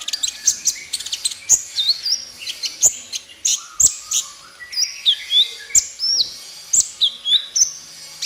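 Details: Van Hasselt's sunbird, full-fill master song for captive birds: steady stream of high, sharp squeaky notes and upslurred whistles, with brief falling chirps and occasional clicks.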